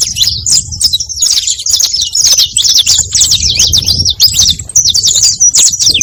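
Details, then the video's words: Continuous bright chattering song of a saffron finch, played to attract more of the species: dense, high, jerky chirps and short trills running for six seconds with barely a break, low rumble beneath. "Som de CANÁRIO da TERRA para atrai canarios!"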